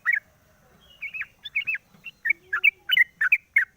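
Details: Caged sooty-headed bulbul singing in the morning after its cage cover is opened, used as a lure: one chirp, then a pause of nearly a second, then looping bubbly notes quickening into a rapid chirping series.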